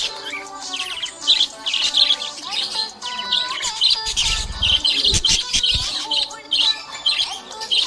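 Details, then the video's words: Happy budgerigar keeps up a stream of high chirps and warbled squeaks, with several brief low knocks in the middle. "Happy budgie chirping sound"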